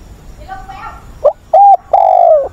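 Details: Decoy spotted dove calling to train newly caught wild birds, recorded 20 August. A faint wavering sound comes first, then a clear coo phrase: a short pickup, a firm level note, and a long, slightly descending final coo.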